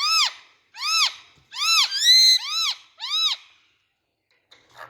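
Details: Indian ringneck parakeet repeating loud, shrill, arched screeches about once every second, six in all, rich and ringing, with one held longer note in the middle and then quiet.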